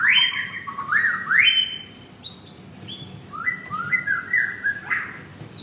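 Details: Caged male white-rumped shama at a bird kiosk in Kemayoran, Jakarta, singing actively and described as turning harsh and agitated: loud rising whistled phrases sliding upward, then lower flat whistles with sharp high chips between, in a quiet room.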